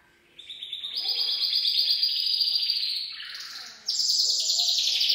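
Gloster canary in full song: a continuous, bright rolling warble of rapid trills, dropping briefly to a lower tour before rising to a high, fast trill.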